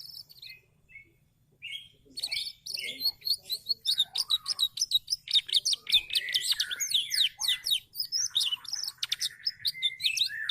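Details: Canary giving a long, energetic song: a few soft opening chirps build into a dense stream of rapid high trills and twittering notes.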